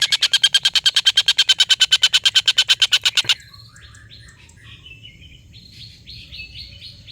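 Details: Long laughing ngekek call of a collared kingfisher, used to tutor competition birds: a steady burst of loud, rapid, harsh kek notes lasting about three seconds, then softer twittering and whistled phrases from another bird.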